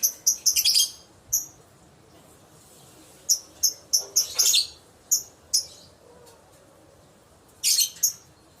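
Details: Lovebird calls used to entice other lovebirds into answering: rapid clusters of piercing, ringing chirps with pauses between, one rasping burst midway, and a final tight group of shrill notes.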